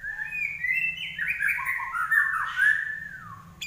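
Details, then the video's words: Common iora singing 'gacor': a continuous flowing warble of whistled notes that climbs, holds, and then slowly slides down before a brief sharp note. "larwo Gacor"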